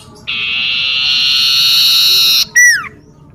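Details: Common iora in a garden near a house: a sustained harsh trill of about two seconds, cut off and followed by a single steeply falling whistled note.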